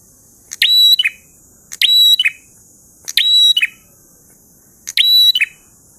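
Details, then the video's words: Lively prinia singing ngalun style: four phrases about every one and a half seconds. Each is a crisp note, an extended steady whistle and a brief downward ending, over a high continuous hiss. "Prenjak Gacor Ngalun Syahdu"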